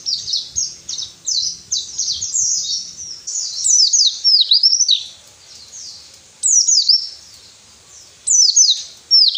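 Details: Training song of a white-eye, used to stir lazy captive birds into singing: quick high descending sweeps and slurred twitters in loud phrases of one to two seconds, separated by short quiet gaps.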